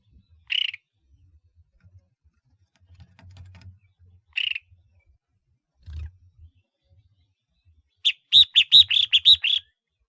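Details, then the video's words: Red-whiskered bulbul of the collared type, kept as a decoy, giving two single spaced chirps, then a fast burst of repeated bright, arched whistled notes, with light knocking sounds in between. "Tiếng chim chào mào khoang cổ mồi"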